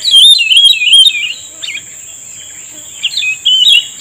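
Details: Cucak rumbai tungging singing in answer to a lure while being trapped: bright, rolling, whistled warbles in loud bursts, then softer chirps and another whistled run, over a steady high electronic whine.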